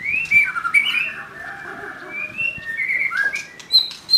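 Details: Young wild white-rumped shama delivering loud, clear whistled phrases, rising and falling slurs interspersed with short high chips, fairly continuous song throughout.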